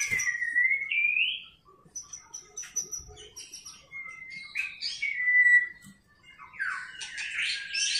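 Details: Female white-rumped shama voice in the tạch líu style, used to rouse fighting spirit in males. Clear whistled phrases rise and slur between notes, with pauses between bursts and a busier chattering run at the end.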